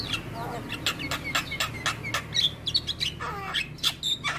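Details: Javan myna, from a morning training recording for mynas: a dense, uneven chatter of short clicks, rasps and slurred whistles over a faint low hum.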